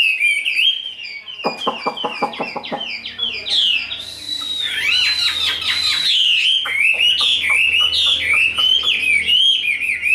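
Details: Tame, large-bodied caged Chinese hwamei in fighting display: a burst of sharp rapid clicks, then loud sweeping whistles and tumbling warbled phrases, with a low indoor hum underneath.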